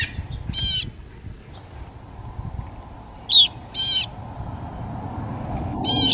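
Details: Blue Jays crying near feeders at Saint-Fabien-de-Panet, late morning (about 11:15) on 9 August 2020: four harsh, noisy squawks spaced unevenly over several seconds, over a low steady background rumble.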